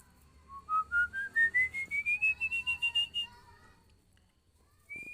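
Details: Female Oriental magpie-robin calling, as played to train birds: around fifteen rapid, evenly spaced whistled notes rising step by step, then leveling off, with a faint low hum beneath.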